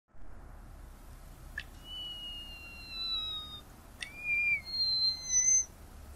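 Tricolored munia song: two brief clicks, each followed by long, thin, high whistled notes held steady or gently falling, over a quiet hiss.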